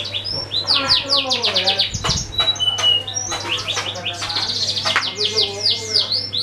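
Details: Canary singing to lure other birds into song, a long unbroken run of quick descending chirps and rapid trills, a few pure held whistles in the middle, a steady low hum behind and a short thump near the start.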